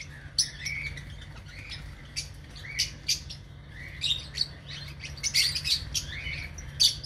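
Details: Chattering lovebirds kept in an aviary: a busy series of sharp, high chirps and tweets, some with brief upward slurs, over a constant low hum.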